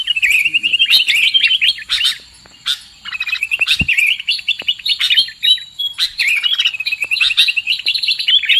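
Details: Trapping lure recording of sooty-headed bulbul: lively warbled chatter in bursts, with a brief quiet pause midway and a low knock, then rapid twittering again.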